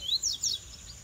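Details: A captive male rusty-collared seedeater, coming out of its moult, sings a quick series of high, thin whistled notes, each sweeping downward, over faint background hiss.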